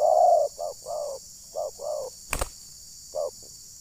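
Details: Decoy zebra dove cooing to provoke wild birds, recorded at Desa Satu Ujung Batu, Rokan Hulu: a string of short, soft, low coos in uneven groups, one sharp click midway, and a constant high hiss.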